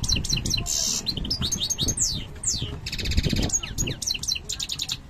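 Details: Parva-subspecies European goldfinch coming into breeding condition, singing a dense, fast, tinkling song of sharp sliding chirps, buzzy trills and rapid twitters almost without pause, with low rumbling noise beneath.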